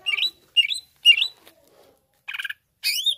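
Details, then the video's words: Greater green leafbird giving short, bright, slurred chirps in loose groups: three quick notes, a pause, then a burst of buzzy rattled notes and a final sweeping whistle, with clean silence between phrases. "Bikin Emosi Cucak ijo Anda"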